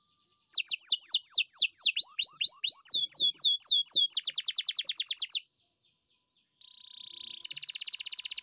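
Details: Canary singing a sequence of loud looping whistles, a faster rolling phrase, a pause, then a held note leading into a rapid trill.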